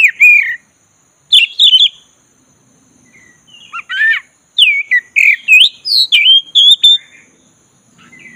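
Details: Black-breasted Oriental magpie-robin urged to sing, opening with a falling whistle, then clipped chirps, a rasping call, and a fast sequence of varied looping whistles and sharp notes near the end.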